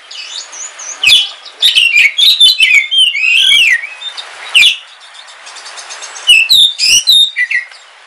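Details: Oriental magpie-robin of the Kalimantan black form, a home collection bird, singing on a rainy day: loud varied whistles and chattering notes in two bouts separated by a softer pause with background hiss.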